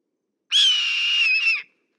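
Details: Juvenile red-tailed hawk uttering a single hoarse, wheezy scream lasting just over a second, fairly level in pitch with a slight dip near the end, on a clean silent background.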